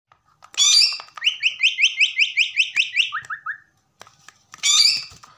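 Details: Pet common myna whistling a fast run of about ten repeated rising whistled notes, then three lower notes, framed by harsh squawking bursts at the start and end.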